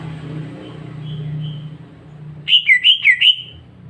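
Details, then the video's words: Caged greater green leafbird at home singing a quick phrase of five or six rippling, bouncing whistled notes after a few soft faint notes, with a steady low mechanical hum. "Cucak ijo sehat, suara jernih"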